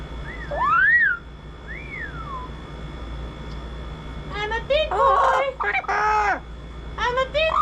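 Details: A pet double yellow-headed amazon, adopted from a rescue after 36 years caged, gives two clear rising-and-falling whistles, then a burst of harsh, speech-like chatter and a final short whistle.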